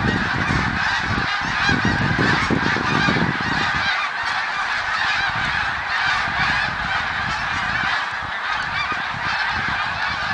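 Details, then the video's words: Snow geese recorded in 2014, a massed flock giving a dense, continuous chorus of overlapping nasal honks with no pauses, many birds calling at once, and low rumbling noise beneath in the first four seconds. "Snow Geese song & dance 2014"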